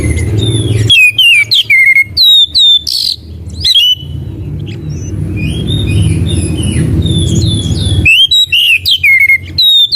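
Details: Magpie robin (kacer) recorded to lure and tutor caged birds: bursts of sharp whistled notes and flicks, a long stretch of softer chattering twitters with background noise, then loud whistling again.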